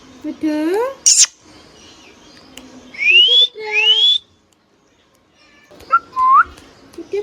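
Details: Pet hand-tame ringneck parrot: nasal meow-like talking, a sharp screech, then two loud upward-sweeping whistles, a pause, and a final short rising whistle.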